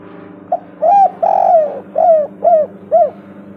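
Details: Lure call of a spotted dove meant to set other doves calling: a quick opening note, a long sliding coo, then three short arched coos at steady intervals over a soft hum.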